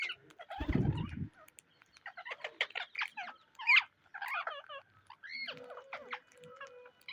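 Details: Pet Indian ringneck (rose-ringed parakeet) giving harsh, scratchy squawks and chattering notes in quick bursts over several seconds, after a brief low thump at the start.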